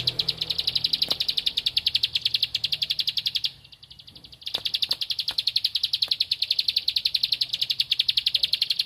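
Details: Bar-winged prinia (ciblek padi) looking for a rival, in the 'tembakan ngempel' style: long trains of rapid high chip notes, interrupted by a second-long near-silence, then resuming just as fast.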